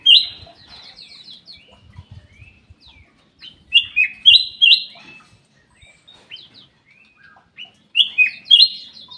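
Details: Black-capped bulbul in an aviary giving loud, clear whistled phrases in bursts of two or three descending-then-rising notes, repeated about every four seconds, with soft chirps from other birds between.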